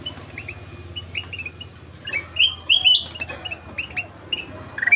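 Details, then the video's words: Golden-fronted leafbird singing actively: chirped and whistled notes, a bright rising trill-like burst in the middle, low humming noise underneath. "Burung kutilang emas gacor"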